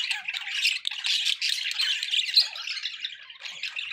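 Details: Budgerigars in company give steady high chattering, a mesh of squeaky warbled notes and short raspy calls, loudest in the first half before easing slightly.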